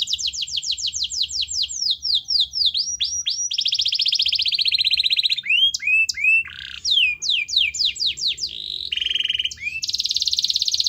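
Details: Chatty canary song meant to prompt a quiet canary into singing: rapid repeated down-slurred notes, a long buzzy roll, sweeping whistles and dense high trills in quick succession.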